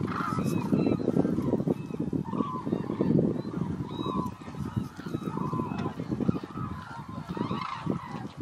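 A flock of hooded cranes gives overlapping loud, honking, trumpet-like calls in steady rough waves over a low, busy rumble of many birds.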